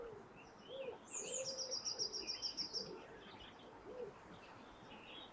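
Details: Winter dawn chorus on a frosty morning by the Thames near Twickenham at sunrise: low soft cooing phrases, a rapid high trilled burst of repeated notes, and scattered faint twitters.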